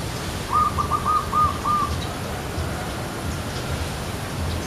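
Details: Zebra dove (Geopelia striata) perched on a tree, giving one short burst of about five quick, soft, evenly spaced cooing notes that roll into each other, followed by quiet, with a steady low rumble underneath.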